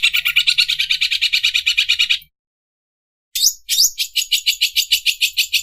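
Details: Greater green leafbird sewing-machine (mesin obras) song: a fast buzzing pulse run, a second of silence, then sweeping whistles leading into another high rapid rattle.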